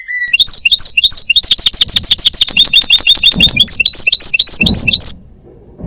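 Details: Common linnet song: a fast, dense twittering stream of bright chirps, trills and buzzy notes running almost unbroken for about five seconds, loud and close, then stopping abruptly into near silence.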